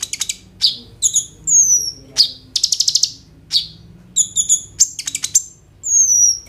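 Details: Phone-recorded song of a kolibri ninja sunbird full of borrowed phrases: crisp high chips, a quick stuttering roll of buzzy notes and long thin descending whistles.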